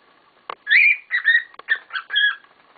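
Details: Pet cockatiels, several birds calling noisily together, giving a fast run of whistled, warbling chirps with sharp clicks mixed in, notes jumping up and down in pitch.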